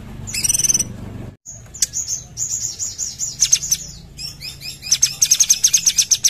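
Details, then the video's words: Sumatran bulbul (cucak cungkok) in full song: a high ringing phrase, then a series of quick whistled notes, a short pause, and a rapid run of sharp, high chattering notes. "Cucak cungkok gacor"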